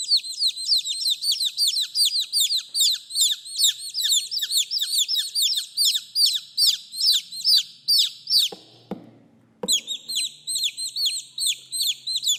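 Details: Several chicks calling their mother in a dense, continuous stream of high, falling cheeps, briefly interrupted by a thud and a short silence before the peeping picks up again.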